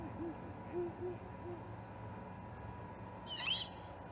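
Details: Juvenile great horned owl at the Charlo osprey nest, 21 October 2020: a soft series of low, wavering hoots in the first half, then one raspy, rising-falling screechy call near the end, over steady background hum.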